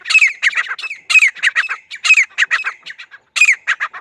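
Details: Grey francolin (teetar) giving a loud, powerful call: fast bursts of harsh, squawking notes sliding down, grouped in rough phrases about a second long with brief gaps between.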